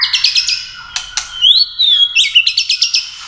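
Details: White-rumped shama, 'tạch' contest song with tail flicks, meant to excite competitive singing; rapid repeated high ringing notes, a couple of sharp clicks, a long gliding whistle, then another quick run of repeated bright notes.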